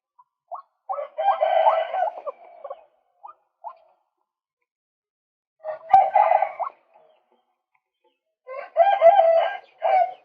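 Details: Male White-breasted waterhen used as a lure call, giving three separated bursts of rough, grating croaks and short notes, with silent gaps of several seconds between the bursts.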